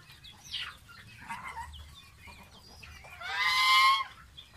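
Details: Bathing baby domestic goose kept as a pet: scattered soft, thin peeps, then one loud, strained, nasal call lasting nearly a second near the end.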